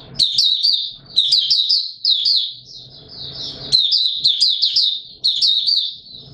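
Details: On a warm, humid day, 20 March 2022, a white-eye sings rapid high chattering phrases of slurred, warbling notes, repeated roughly every second with brief gaps and soft low thumps behind.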